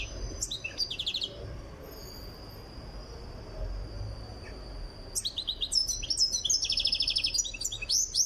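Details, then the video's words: Tiaret goldfinch progressing toward song readiness: a short tinkling phrase with a quick trill, a long thin steady whistle, then a rich run of twitters and rattling trills over the last three seconds. "تغريد مقنين تيارت (في طريقه إلى الجهوزية)"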